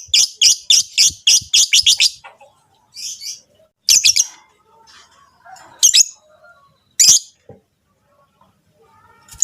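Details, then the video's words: Rosy-faced and Fischer's lovebirds giving mating calls meant to stimulate the female to breed: bursts of sharp, high chirps repeated rapidly for two seconds, then scattered single chirps and short squeaky notes. "صوت تزاوج طيور الحب الروز والفيشر لتحفيز الأنثى على الإنتاج"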